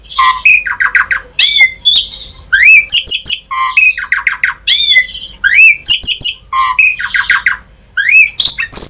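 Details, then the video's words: Energetic Asian pied starling song packed with varied fill-in notes, played as a lure for starlings: repeated rising whistled phrases with stuttering clicks and harsh chattering, steady and dense throughout. "Jalak Suren Gacor Full Isian ‼️ Variasi,Cocok Untuk Pancingan Suara Burung Jalak Agar Cepat Gacor"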